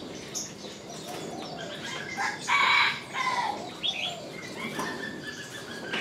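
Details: Three lovebirds perched atop a crape myrtle give shrill, squeaky chattering calls in short irregular bursts, loudest midway through, with a flutter of wings and faint background hiss.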